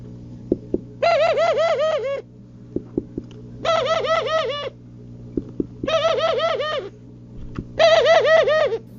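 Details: Male pigeon cooing while mating gives four bursts of rapid, throaty cooing, each a run of about five rolling notes, with a steady low hum and a few soft clicks between bursts.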